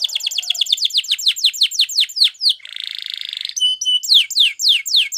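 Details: Belgian canary song used for training other canaries: quick rhythmic run of falling whistled notes about four per second, then a harsh buzzy rattle and a few sharp metallic tones before the trill resumes.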